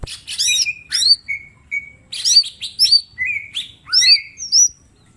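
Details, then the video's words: Green leafbird master song for training other birds: harsh bursts and looping whistles, then steady flat whistles, then fast varied whistled slurs rising and falling, in irregular phrases. "Cucak ijo mini gacor full tembakan bongkar materi"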